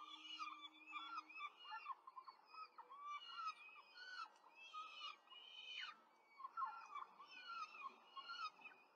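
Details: Quick feeding at a peregrine falcon nest in Rome, 5 May 2023, four chicks present: steady overlapping shrill, wavering calls in fast series, with one longer sliding cry near the middle.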